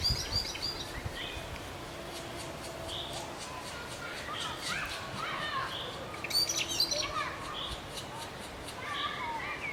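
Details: Black woodpecker chicks begging while being fed; a scattered run of high, scratchy chirps and chattering bursts rising and falling irregularly over a steady background hiss.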